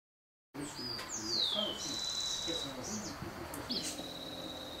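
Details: White-lined tanager recorded in May 2012 at Sachatamia Lodge, Ecuador: a high whistle sweeping down, then a steady thin high tone, with another short high note near the end over a faint background hiss.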